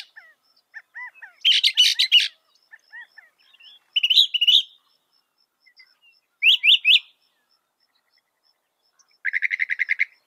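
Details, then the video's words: Mimicking northern mockingbird, reputed to copy 200 sounds, alternating soft downslurred notes with loud scratchy bursts and chirped triplets, closing on a rapid buzzy trill, while a faint constant high tone runs beneath. "Masteran suara burung NORTHERN MOCKINGBIRE bisa merekam 200 suara"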